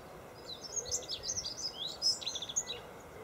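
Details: A Dunnock sings at Golden Hill Country Park, Freshwater, on 21 February 2012: a quick, jumbled warble of thin, high squeaky notes running about three seconds, over a soft outdoor background hiss.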